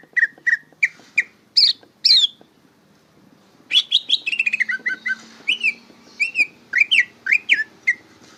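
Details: Varied bongkaran song from a greater green leafbird learning to sing. Spaced whistles and sharp upward flicks come first, then a dense burst of twittering and a string of looping slurred whistles.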